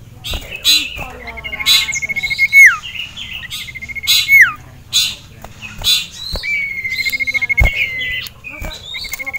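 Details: Male sirtu kept in a cage, excited at the sight of a rival and a female, repeats short level trills, each ending in a plunging slur, mixed with sharp clicks and other twittering birds.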